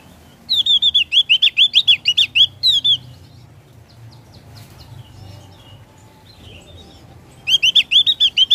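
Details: Javan grey-throated white-eye singing a ngeplong-style song: two bursts of rapid, bright, wavering high notes, about nine per burst, repeated quickly with a pause of several seconds between, over faint low background hum.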